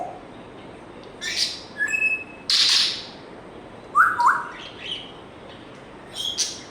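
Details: African grey parrot giving a sparse run of dry clicks, brief pure tones and noisy bursts, including a short pair of low whistled notes near the middle.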